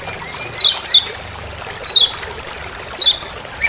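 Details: A few "ciak ciak" calls from a Lemon-bellied white-eye in Lombok forest: bright, high notes sliding downward, one quick pair followed by two single notes about a second apart, over faint steady hiss.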